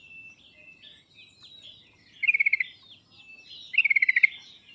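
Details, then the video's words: Yellow-vented bulbul song used as a lure to prompt a reluctant caged bird to sing: two loud bursts of rapid, evenly spaced chattering notes, each about half a second long, over softer whistled chirps and twittering from other birds throughout. "pancingan dan masteran trucuk paling cepat di sambar trucuk malas/susah bunyi langsung nyaut"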